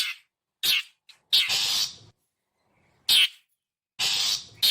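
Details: Long-tailed shrike uttering coarse, buzzy screeches as a lure for wild birds, long rasping notes broken by a short clipped one, then a silence before more grating bursts.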